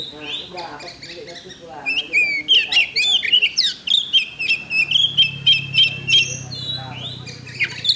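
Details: Oriental magpie-robin at a songbird contest, Thursday 8 October 2020. Faint chatter opens, then a burst of bright whistled notes and a steady series of evenly spaced sharp chips. A low hum runs beneath.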